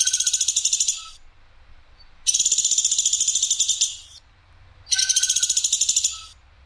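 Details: Harsh, sharp rattling of a woodpecker called platuk sampit. Three rapid pulsed bursts come roughly every two and a half seconds, the middle one longest at about one and a half seconds.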